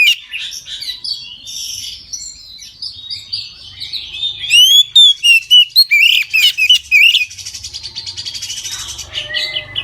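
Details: Oriental magpie-robin in full open song at midday, used as a lure to get other magpie-robins singing: loud, clear whistled notes with sharp sweeping slurs and rapid repeated phrases, faint scratchy sub-song before and after.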